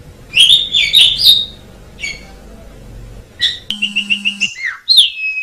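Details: Black-winged starling giving short bursts of squeaky whistled notes and chatter. A steady electronic-sounding tone with rapid pulses cuts in briefly midway, then a long even whistle closes.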